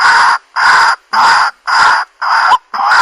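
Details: Waterhen call used for bird trapping: six harsh, hoarse croaking notes, each nearly half a second, repeated steadily about twice a second with short silent gaps.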